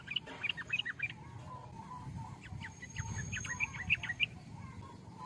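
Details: Sooty-headed bulbul singing quick, chattering note clusters in two short bursts, fairly faint, with a constant low background rumble.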